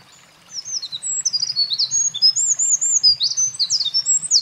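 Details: Singing Eurasian wren, recorded 28 April 2024 at a mountain pass where it carried nest material: an energetic, very high song of rapid sweeping notes and rattling trills, pouring out nonstop for nearly four seconds.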